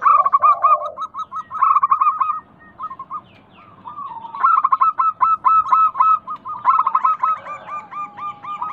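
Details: Overlapping song of several local zebra doves, played as a lure to stimulate other doves to call: quick hooked coo notes in bursts, a lower harsh note early, a quieter pause midway, then a dense stuttering chorus.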